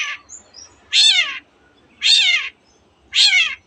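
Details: Long-tailed shrike, known here for mimicking canary and other birds, uttering coarse, grating calls about once a second, each roughly half a second long.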